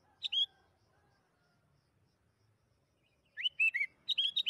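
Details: Sooty-headed bulbul, lure for prompting birds to sing: a short two-note whistle, a pause of nearly three seconds, then a rising three-note phrase and a fast run of bright repeated notes.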